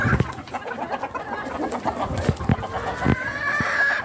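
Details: Farm chickens, with a rooster walking among hens. Low, choppy clucks sound throughout. A drawn-out tonal call rises and holds near the end.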